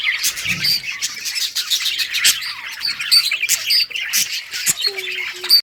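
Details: Budgerigar colony playing and chirping, rapid scratchy warbles and short high squeaks overlapping, with a couple of clear whistled notes near the end over constant flock chatter.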